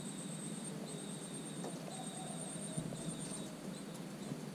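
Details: Common cuckoo (Cuculus canorus) chick in a marsh warbler's nest, filmed 27 June, gives a thin, very high, steady hiss-like whine in bursts of about a second over a low rustling rumble.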